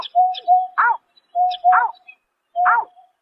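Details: Night call of a greater painted-snipe, March 2024. Flat, mid-pitched hoots lead into louder, harsh downward-sweeping notes. Three groupings fall in about three seconds, with clean silence between them.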